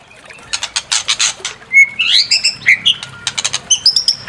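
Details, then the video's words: White-rumped shama song meant to provoke another bird to sing its full repertoire: rapid dry chack notes, then smooth whistled slurs and sweet warbled notes, followed by more harsh chatter and a final high whistle. "Pancing EMOSI MURAI BATU BONGKAR ISIAN"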